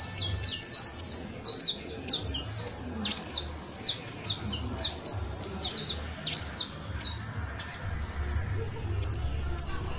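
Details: High, rapid canary song on 31 December 2022 at year's end: dense bursts of sharp chirping notes for about seven seconds, then thinning to faint scattered tweets over a low rumbling background.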